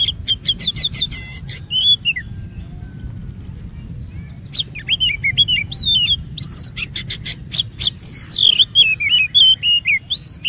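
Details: Oriental magpie-robin used as a lure for long singing: rapid buzzy clicks alternating with looping whistled phrases, some sliding down, some rising, then a rich swooping run near the end, over steady low background noise.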